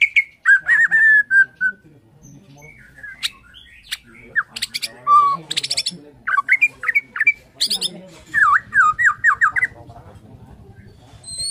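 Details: Borneo white-rumped shama morning song that reportedly prompts other shamas to sing: mixed whistles, high sharp chips and buzzy bursts, closing with a quick series of looping notes.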